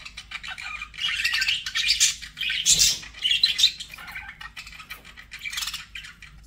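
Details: Budgies kept as pets warble continuously, mixing high squeaks, rasping chirps and short whistles in an unbroken, rambling stream that swells and fades.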